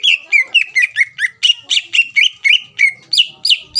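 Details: Greater green leafbird singing to goad rivals into replying, a steady stream of loud whistled slurred notes, each with a high upward flick, repeated roughly four times a second without pause.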